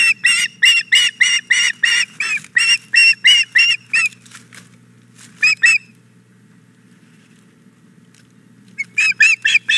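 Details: At the Hog Island Boathouse nest, a female osprey begs insistently for the male's fish on a May 2017 morning, giving a fast, loud string of piercing chirps, a short burst, a long quiet pause, then more calls.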